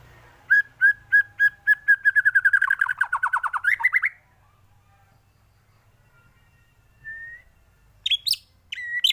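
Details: White-rumped shama song for training other birds: a steady run of repeated whistled notes speeding into a fast trill that drops then rises, followed by silence and a few high sharp notes.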